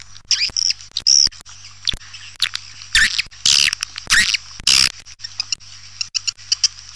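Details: Swiftlet attraction sound: scattered sharp clicks with occasional loud, harsh, noisy bursts and a few thin whistled chirps, irregularly spaced, over a low hum.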